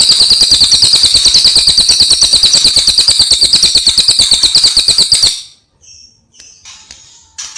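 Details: Cililin, a caged songbird whose singing is used as a master recording to train other birds, delivers a loud, fast, even trill of high buzzy notes, about three per second, lasting five seconds, then stops, leaving a few faint sounds.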